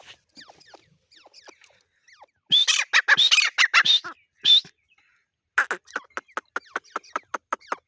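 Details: Grey partridge calling: scattered soft chirps, then a loud burst of rapid harsh notes, followed by a steady series of about a dozen short, sharp notes repeated roughly every fifth of a second.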